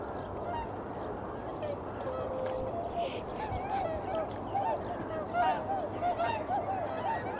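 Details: Eurasian coot calling in early February around 8 in the morning; short, honking, slightly arched notes given irregularly, several overlapping, over a steady rushing background noise.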